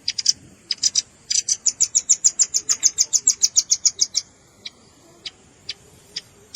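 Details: Velvet-fronted nuthatch calls blended with juvenile calls for luring birds: sharp, very high chips start irregularly, build into a long, steady rapid trill, then thin out to isolated single notes spaced about half a second apart.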